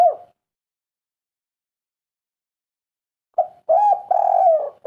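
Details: Spotted dove giving the kuk 3 three-part coo, played to prompt other birds to start calling; a coo tail fades, long silence, then a short coo, a middle coo and a long drawn-out falling coo.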